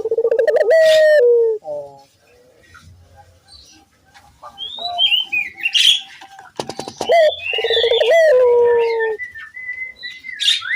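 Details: Barbary dove used as a lure to prompt other doves: a long rolling coo opens, then a stretch of busy chirping and twittering from small birds, and a second trilled descending coo near the end.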